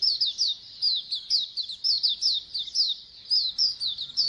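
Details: Colony of Oriental white-eyes singing together, played to get other birds to open up and sing: dense high chirps and twittering notes overlapping in a continuous bright chorus, with short sharp downslurred phrases tumbling over one another.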